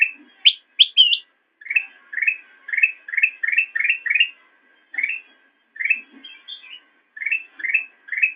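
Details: Black-crested bulbul training song for cage birds: a few high sharp squeaks, then a steady series of upslurred whistled notes with short pauses.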